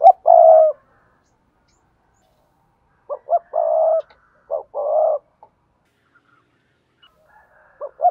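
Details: Spotted dove cooing for bird keepers: a long, low coo opens the clip. After a pause come two phrases of short stuttered notes, each ending in a sustained hollow coo, and another phrase starts at the close.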